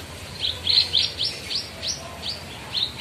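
Javan bush lark song: quick, high, sharply downslurred chirps, about three per second, over a soft hiss.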